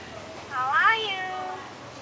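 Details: Captive common hill myna in Hua Hin, Thailand, imitating human greetings: a single clear, human-sounding word that rises and then falls, with faint room noise.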